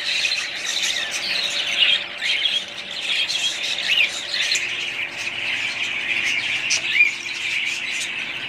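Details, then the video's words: Budgerigars kept as a family group, a dense continuous chorus of many overlapping chirps, squawks and warbled twitters, steady throughout with brief louder peaks near two and seven seconds. "budgies parrots"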